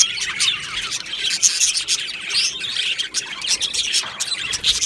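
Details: Aviary budgerigars on 22 June 2025 keep up a constant high warbling chatter, layered chirps, squeaks and whistles rising and falling in intensity, many birds calling together.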